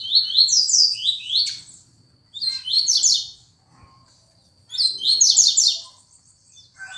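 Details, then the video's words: Double-collared seedeater delivering fast tuituí phrases: three loud bursts of quick, raspy, downward-slurred high notes, each about a second and a half long, separated by brief pauses over a faint steady high tone. "Tuituí rapido"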